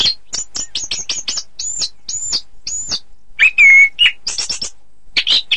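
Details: An Orange-headed thrush sings a training song for bird contests: a quick series of high ticks, three arched whistles, a long steady pure whistle, then chattering notes.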